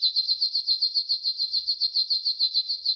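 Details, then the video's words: Yellow golden canary in a training song, delivering a steady high trill of quick repeated chirps without pause. "Yellow GOLDEN Canary 12h Training Song"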